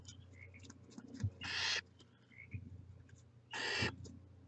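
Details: Two long, noisy hisses from barn owl chicks at the nest, around two seconds apart, with a steady low hum and faint chirps underneath.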